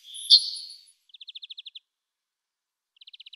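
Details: Yellowhammer, a bird that stays in the landscape through winter, giving a rapid high trill of about eight short, evenly spaced notes, repeated once more, after a brief louder rustling burst.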